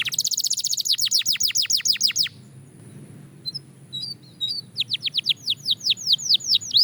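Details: Caged Belgian canary in singing training, fast tempo: high, rapid series of downward-sweeping notes repeated more than twice a second, a brief pause with a few scattered chips, then another quickening run of sweeping notes over a low background rumble.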